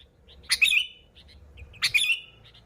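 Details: Sooty-headed bulbul used as a lure for bulbuls, giving two rich, slurred phrases about a second apart, each a loud chirp sliding downward, with soft low background hum between.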